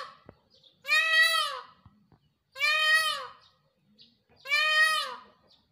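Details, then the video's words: Peacock calling during its dance: three loud, harmonic wailing calls, each arching up then down, about a second long and spaced roughly 1.7 seconds apart, with faint clicks between. "peacock Voice sounds in Dance Mor ke Dance or Awaz"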